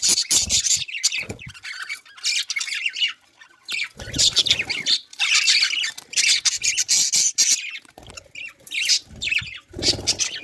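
Budgerigars chatter in scratchy, high squawks and warbles, in quick uneven bursts.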